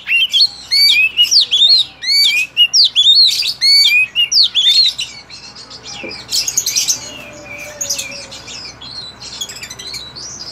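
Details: Oriental magpie-robin, a kept bird beginning to learn to sing. Loud series of rising and falling whistled phrases repeated in quick bursts, then softer scratchy, buzzy notes with a faint low whistle in the background.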